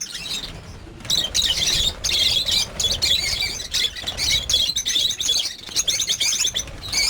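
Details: Breeding-farm lovebirds, over fifty birds, start after a quiet second into loud overlapping high-pitched squeaks and chirps that continue with little pause to the end.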